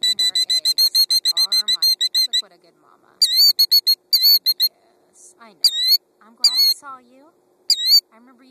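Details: Female killdeer fussing at a car near her gravel nest with two eggs; shrill high piping notes in quick bursts broken by pauses, with a woman talking softly to the bird between them.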